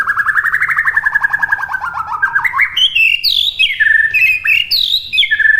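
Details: White-rumped shama training song: opens with a long, wavering, buzzy trill that slowly climbs. It then breaks into clear, ringing whistled notes that drop sharply, delivered in separate bursts.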